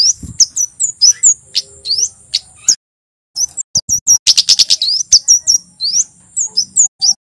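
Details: White-bellied sunbird male, loud continuous song played to get other birds singing: bright rising slurs and chips, a brief pause, then a fast buzzy trill and more upswept whistles, over a thin high tone.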